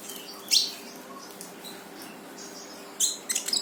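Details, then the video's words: Brown-throated sunbird song played to make a silent bird sing: one sharp high chirp, a pause, then a quick cluster of thin high notes near the end. "KONIN GACOR FULL TEMBAKAN || UNTUK MANCING KONIN MALES BUNYI LANGSUNG IKUT BUNYI"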